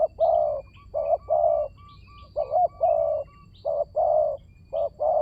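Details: Spotted dove cooing as a trapping lure: steady, low, rounded coo notes in quick pairs and triplets, almost continuous, with faint high chirps from other birds in the background.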